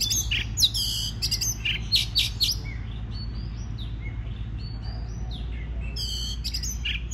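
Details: Song of an Oriental magpie-robin, meant to stimulate other birds to sing: loud harsh rasping bursts open and close the passage, with softer sliding whistles between them, over a low hum.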